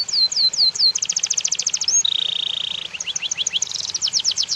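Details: Tutor song of a white-rumped shama: a few sharp whistled notes, a rapid high trill, then a long flat buzzy rasp, followed by quick chattering high notes.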